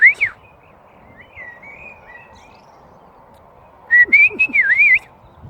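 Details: A bird in front of a house, described as singing in a happy mood, gives two bursts of clear warbled whistles that wobble up and down, one short and one longer, with a faint steady hum behind.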